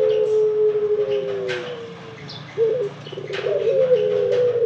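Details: Ringneck dove cooing: a long low tone falling slowly, a brief pause, then a purring rolled note running into another sustained coo; light bird chirps in the background.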